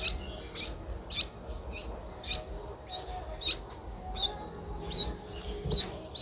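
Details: Streak-eared Bulbul chicks aged eight days in Ubon Ratchathani, Thailand, 10 April 2023, calling with around eleven short, shrill, upward-flicking chirps spaced roughly half a second apart, against a faint low background.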